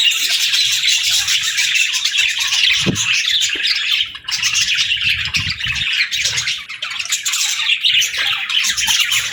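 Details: Budgerigar group chirping steadily, a dense high warble with faint clicks, one short pause in the middle.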